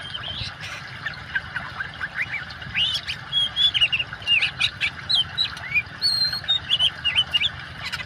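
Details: Singing oriental magpie-robin set against water sound, meant as therapy for caged songbirds that stopped singing: energetic bursts of high whistles and chirps, pulsing phrases roughly every half second, low constant water hiss.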